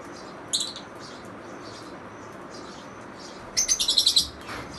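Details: Lovebirds: one sharp chirp, faint chatter, then a fast run of about six shrill, rasping notes near the end.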